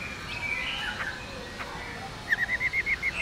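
Black-throated laughingthrush female: soft warbling notes, then a quick rolling run of about eight clear, even notes, roughly eight per second, over faint background hiss.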